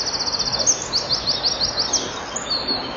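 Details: Common kingfisher at its nest: a rapid series of high, thin, sharp chirps in quick repeated bursts, over steady background noise.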